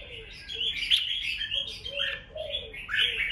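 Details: Red-whiskered bulbul fighting song in the ché style for rousing rivals: continuous busy, scratchy chirping, with a lower, soft warbling voice weaving through the phrases.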